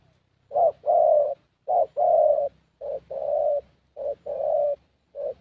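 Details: Young thổ Spotted Dove cooing during a decoy session in Gia Lai; steady series of two-part coos, a brief note then a longer hollow coo, about once a second, low in pitch.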